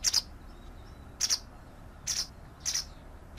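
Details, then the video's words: White wagtail giving five short, high, clipped chirps, spaced unevenly over a little more than three seconds, against faint low background noise. "Canto de la Lavandera Blanca"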